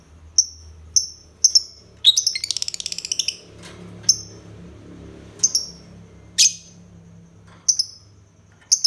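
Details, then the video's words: Lovebird chirping: shrill, sharp high chirps repeated roughly every half second to a second, with a rapid buzzy rattling burst of short notes early on, over a faint low indoor hum. "Kicau Burung Lovebird"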